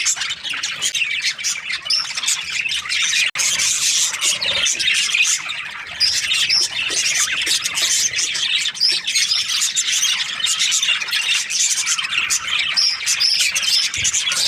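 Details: Breeding-season budgerigars chattering continuously for the whole stretch: overlapping chirps, squeaky warbles and occasional clear whistles from many birds, with one sudden brief drop-out early on.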